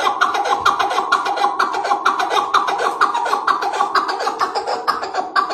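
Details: An Iraqi partridge sings a fast, harsh, steady run of chuckling notes, about two each second, with a slightly echoing indoor sound; its song is described as both deep and thin, rapid and ambling.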